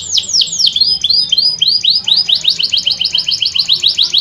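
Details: Canary song used as a lure for reluctant singers: quick falling whistles followed by a run of rising chirps repeated at a steady, rapid pace, very high-pitched.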